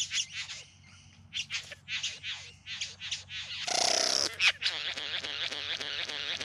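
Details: Bowerbird courting in the Yarra Valley, just outside Melbourne, in September 2020; rapid harsh chattering notes, then a sustained loud hissing rasp, followed by dense buzzy, churring sounds.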